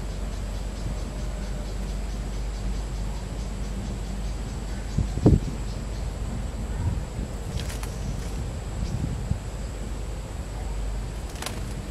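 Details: Low rumbling wind or traffic noise with a few brief knocks and clicks, and no clear animal call.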